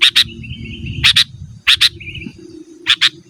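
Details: Sooty-headed bulbul challenging rivals, recorded to attract wild birds and train cage birds: loud double chirps about once a second, with faint thin whistled notes between them over a low murmuring background.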